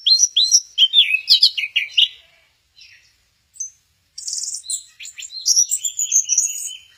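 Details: Orange-headed thrush at Kesamben, said to be doing the 'goyang inul': a fast string of sharp high notes and slurs, a near-silent gap with soft notes, then a buzzy burst and sustained warbling.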